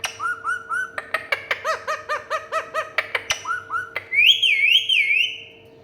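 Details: Indian ringneck parakeet (mithu tota), a talking pet parrot: a rapid run of short, bright, rising-falling notes, about two per second, then a loud wavering warbled whistle that fades out; a steady low hum runs throughout.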